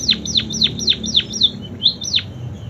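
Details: A munia (pipit) trained on canary song sings canary-like phrases: a quick series of about eight high, steeply falling whistles, roughly four per second, ending in a rising-then-falling note.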